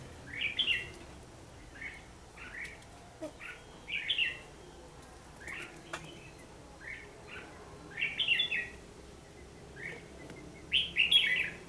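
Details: Trapping session on 14 December 2015 with a red-whiskered bulbul giving a fighting song: bright warbled phrases repeated roughly every one to two seconds, some richer and louder bursts, over a steady faint background.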